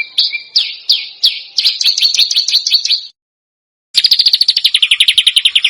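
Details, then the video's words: Bird song used as a model for contest songbirds: several falling, piercing whistles lead into quick chattering. After a silent gap comes a very fast, even, buzzing trill of high notes. "Masteran Burung Lomba JERITAN RAPAT DAN KASAR FULL TEMBAKAN TAJAM"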